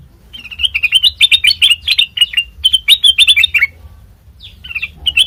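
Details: Lure recording of a sooty-headed bulbul for training birds: two quick phrases of sharp, rising chirps, then a pause and a few softer notes.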